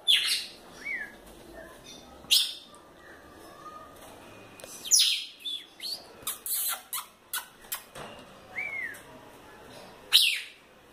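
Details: Lively female red-cowled cardinal calling in scattered bursts: loud sharp chirps and several short arched whistles spaced over several seconds, with a quick run of clipped notes in the middle and a final bright chirp.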